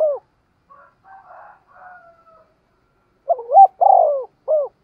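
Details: Soft twittering of another bird fills the pause before a spotted dove, cooing to lure wild birds, gives a full low phrase: doubled opening, long throaty coo, short final note.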